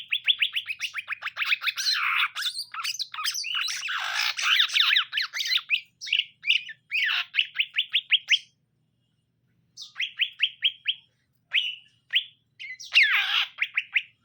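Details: Caged greater green leafbirds, male and female, during pairing; dense lively chattering of rapid rising notes and harsher squawks in long bursts separated by short silences.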